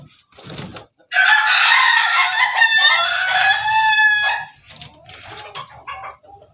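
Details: Pelung chicken of the Bangkok laughing type giving a long, loud, rich crow lasting over three seconds, wavering and slightly falling, that trails off into softer broken notes.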